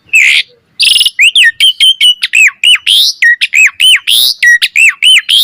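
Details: Asian pied starling singing actively with a full repertoire, tutor material for other starlings: after a buzzy opening, a rapid string of short whistled notes, many dipping or hooked, delivered nearly twice per second.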